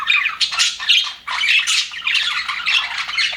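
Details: Happy aviary budgerigars chattering in loud, raspy bursts of warbles and chirps, one brief dip in the noise before the overlapping calls resume.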